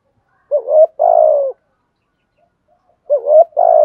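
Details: Decoy spotted dove cooing to stir wild birds into calling: two identical phrases, each a short rising hooked coo followed by a longer, slowly falling hum, separated by a two-second pause.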